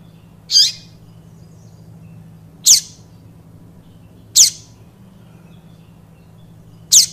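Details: Yellow-bellied seedeater, song style called Tui Tui Viviti, played for training young birds: four sharp, high, downward-sweeping notes spaced about two seconds apart over a faint low hum.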